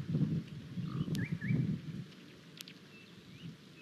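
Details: At Mpala, a Von der Decken's hornbill checks out a camera tower, uttering deep pulsing clucks for about two seconds before falling quiet, while thin whistled notes of other birds sound faintly above.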